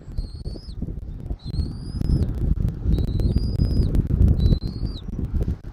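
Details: At a Southwest Florida nest on 13 January 2024, early afternoon, a bald eagle gives four clear, piercing whistles, each level to rising and ending in a brief downturn, roughly every 1.4 seconds, with strong wind buffeting underneath.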